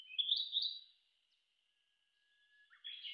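Narcissus flycatcher song: a bright, quick warbled phrase around high pitch, a thin sustained whistle, then a short burst of sharp notes.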